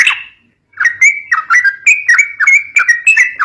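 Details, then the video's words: Sooty-headed bulbul singing a fighting-style phrase meant to stir young birds: a string of short, bright, down-slurred whistled notes, about three each second, with soft chatter between them. "COCOK BUAT PANCING BURUNG TRUCUK MUDA"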